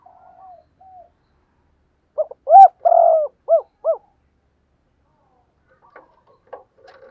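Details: Decoy spotted dove calling to lure: a faint low coo, then a burst of five or six short looping hoot notes with one longer coo among them, followed by scattered faint background chirps.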